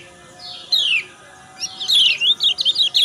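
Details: Yellow white-eye (kecial kuning) female calls with ngejos sounds, played in the morning to stimulate males to sing: high descending chirps, then a quick cluster of sharp twittering notes.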